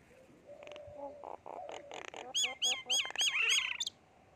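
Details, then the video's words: Myna in India gives a varied string of calls: soft low whistles, then five or six loud, sharp notes with swooping, bent tones, about three per second. "Myna bird sound"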